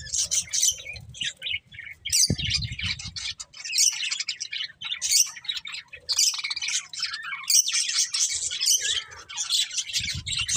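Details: Budgies chirping and warbling in busy high scratchy bursts with short chirped notes, a loud low thud near the start and some faint background rumble.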